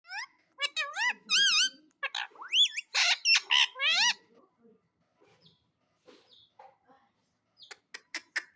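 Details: Pet parrot in a happy mood, indoors, giving a quick burst of harsh, bent harmonic squawks in the first half, then quiet with a few soft clicks and short chirps near the end.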